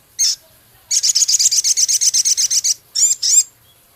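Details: Male Javan cochoa singing hard, packed with minivet-like phrases, ticks and coarse chatter: a single harsh call, then about fifteen rapid, evenly spaced buzzy high notes, ending in two slurred ringing calls.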